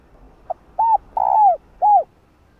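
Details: Cooing female spotted dove beckoning a male: a faint short pip, then an arched coo, a long descending coo and a closing arched coo, clear and close.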